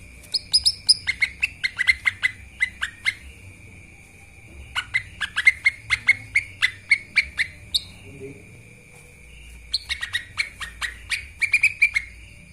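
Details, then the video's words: Lesser green leafbird master recording for training birds: fast bursts of sharp chirps and squawky notes in three phrases separated by short pauses, with a steady high tone underneath. "CUCAK IJOMINI masteran gacor langsung NARUNG...!"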